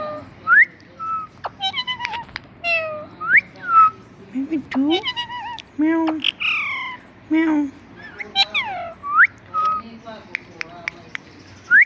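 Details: Talking pet parrot imitating words, including "Mitthu Mitthu": a dense run of bright rising whistles, nasal squawks and harmonic word-like phrases, one after another, with only brief pauses.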